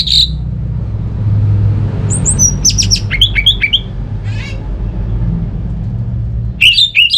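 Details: Orange-headed thrush singing, played to coax idle birds at home to sing: scattered high sharp chips and short whistled notes in loose bursts, a rough rasp, then a final flurry, over steady low background rumble.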